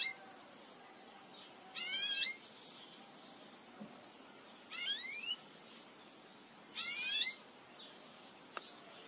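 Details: A Belgian canary, in a recording used to teach other Belgian canaries to sing, gives three short bursts of rapid rising trills, each under a second and a few seconds apart, high and bright over a quiet background hiss.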